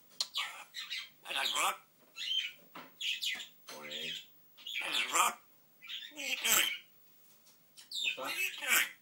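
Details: African grey parrot talking, producing a run of rough, speech-like squawks and mimicked words in irregular bursts about every second, some with buzzy harmonic tones, in a quiet room.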